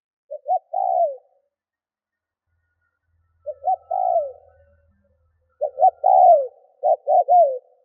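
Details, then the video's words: Decoy spotted dove cooing to attract wild birds: spaced phrases with a quick pickup note and a longer downward-sliding coo, long pauses between the first phrases, then a quicker cluster of coos. "CU GÁY MỒI THÚC GÙ KÍCH BỔI NHANH NỔI - TIẾNG CHIM CU GÁY KÍCH BỔI"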